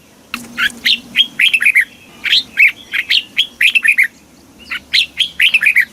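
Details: Red-whiskered bulbul song in the southern master style, recorded in Thailand from a caged bird and used to stimulate other bulbuls: three rapid bursts of chirpy, up-and-down whistled notes, with a faint low hum at first.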